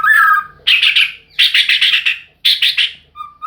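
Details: White-rumped shama song: a clear whistled note, then three bursts of fast buzzy pulsed trills, ending with a soft rising whistle.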